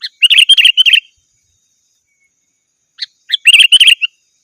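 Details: Sooty-headed bulbul calling to rivals, a call used to lure wild birds in the forest: two bursts of rapid, bright chirping notes about three seconds apart, each roughly a second long, with silence between.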